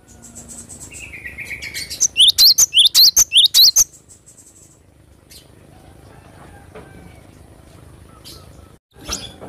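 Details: Cinereous tit in full, energetic song, recorded in natural surroundings: a short burst of about eight loud, high, bent whistled chirps lasting under two seconds, preceded by faint softer notes, followed by quiet background with distant faint sounds.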